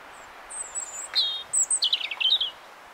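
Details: In a blackthorn tree, a robin sings one short high phrase: a thin drawn-out whistle, a clear sustained note, then a fast descending cascade of bright twittering notes.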